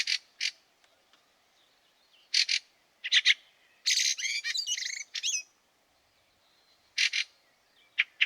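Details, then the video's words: A Fieldfare in the snow at Liepāja, Latvia, in March 2023 gives loud rasping chack pairs and triplets. Midway comes a longer squeaky, warbling run of mixed notes, followed by more harsh chacks. "PELĒKAIS STRAZDS /Turdus pilaris/. 3 daļa. SNIEGS."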